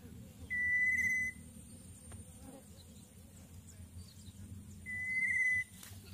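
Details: Young Greater Coucal being fed a large prey item by its parent at the nest; two identical flat, piercing whistles of under a second each, roughly four seconds apart, with faint background rustle.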